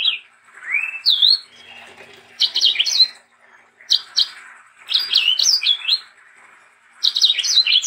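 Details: Sanger bird singing, for tutoring young sangers: sparse song with a rising slur and a sharp twist early, then separated clusters of rapid high notes at intervals of one to two seconds.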